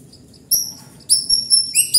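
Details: White-rumped shama in vigorous (gacor) song: brief piercing high whistles, a sustained bright note, then a quick run of short sharp notes ending on a lower rising slur.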